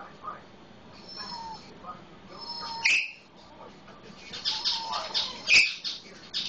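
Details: An Eclectus parrot imitates a red-lored amazon parrot with soft whistled notes and two loud, harsh squawks roughly three seconds apart, along with raspy, chattering sounds.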